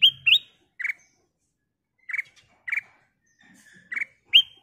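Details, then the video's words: Ruby-throated bulbul (kutilang emas) singing tirelessly with a clear, crystal tone, used to prompt other birds to sing: rising whistles and short chirps spaced roughly every half second to a second, in an otherwise quiet setting. "Burung Kutilang Emas Gacor suara kristal Cocok buat Pancingan"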